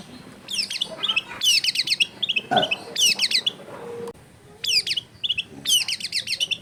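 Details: Long-tailed shrike in energetic full song rich in mimicked fills, used to provoke other shrikes into singing: bursts of rapid high chirps and sharp descending whistles in tight clusters, broken by short pauses and a brief low thump.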